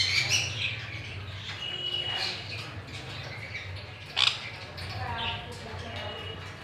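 A sun conure gives scratchy, high chattering squawks with a single sharp click partway through.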